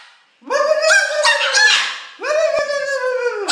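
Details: Female pet Moluccan cockatoo, described as very talkative, vocalizing to a person on a couch: two long, loud, harsh nasal calls with strong harmonics, the first wavering, the second steady and ending abruptly.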